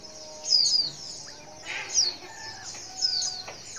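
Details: White-eye female's call aimed at getting males to respond: three bright, high descending chirps about a second apart, with faint lower tones between.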